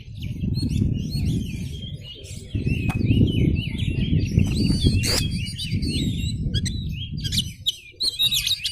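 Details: Oriental magpie-robin (kacer) lure song of fast, varied whistles and chirps, repeated rapidly over a strong, steady low-pitched rumbling background noise.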